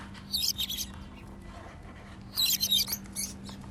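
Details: African lovebirds flying freely and making happy sounds; two bursts of shrill, scratchy high chirps about two seconds apart, quiet between, with a low steady hum underneath.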